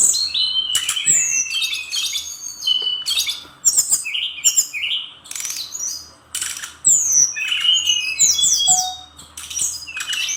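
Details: Bali-type brown-chested jungle flycatcher in full song, packed with learned filler phrases. Rapid sequences of bright, downslurred whistles and twittering bursts tumble one after another, broken by brief gaps and faint clicking sounds.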